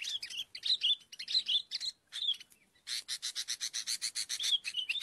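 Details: Sooty-headed bulbul calling, as used for luring birds: quick high chirped phrases, then a steady run of rapid, evenly repeated sharp notes, about twenty in two seconds.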